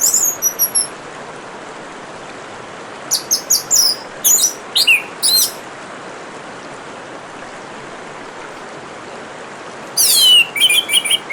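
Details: Orange-headed thrush singing alongside running water: short bursts of high, rapid chirped and whistled notes near the start, in the middle and at the end, separated by quiet gaps over a steady hiss of trickling water.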